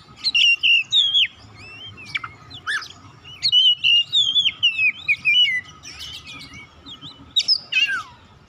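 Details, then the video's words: White-rumped shama singing to call and provoke other birds to sing: dense run of loud clear whistles, downslurred notes and quick chattering phrases, nearly continuous for several seconds, with a quiet background hum. "KICAUAN MEMANGGIL DAN PERANGSANG BUNYI | Kacer macet bunyi langsung on gacor"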